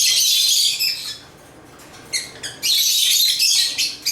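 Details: High, scratchy chatter of African lovebirds, an opening loud burst, a lull with a few short chirps, then renewed shrill chattering.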